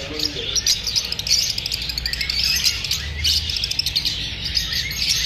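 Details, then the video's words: Lovebirds chattering after feeling unsafe from filming: a constant wash of thin, piercing chirps from many birds, rising in louder bursts. "Love Birds | The sounds of parrots after feeling unsafe."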